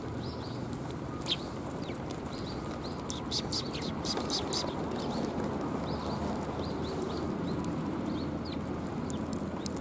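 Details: Several Eurasian tree sparrows gathering at a bench for food on 7 January 2022 give quick high chirps and twitters, scattered through the clip, against a constant low background roar.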